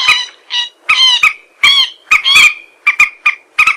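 Common moorhen giving harsh, croaking squawks in quick bursts, about ten in under four seconds, some doubled, with a nasal, frog-like tone.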